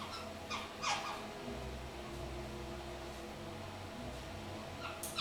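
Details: A 3-month-old pet kakariki sitting in the shower gives a few brief, harsh squeaky chirps, spaced well apart, over a steady low indoor hum.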